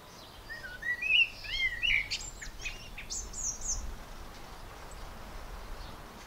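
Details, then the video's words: A blackbird sings a mellow, fluted warble of slurred notes that breaks into a thin, squeaky twitter at the end, over faint background hiss throughout. "Blackbird Singing"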